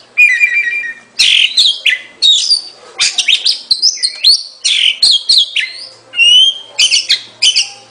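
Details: Oriental magpie-robin singing a rich, varied run of clear whistled phrases, slurred rising and falling notes and short bright chirps delivered in quick bursts with brief pauses, high-pitched and loud, with no other sounds.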